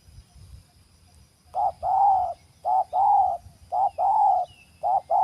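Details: Spotted dove (terkukur) in a bird-trapping setting, giving loud, mellow mid-pitched coos in phrases: a short note followed by a longer drawn-out one, the pair repeating roughly once a second, with faint low rumbling underneath.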